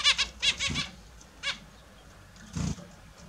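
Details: Pet Australian zebra finches bathing in the morning utter a quick cluster of nasal beeps, then a single beep, with a low thump of water movement.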